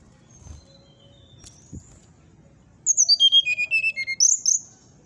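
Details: A brown-chested jungle flycatcher in 'nyuling' whistling song, claimed to upset neighbours' birds. After a quiet start with faint thin whistles and a soft knock, a fast stepped cascade of clear whistles descends, followed by a few high rising notes.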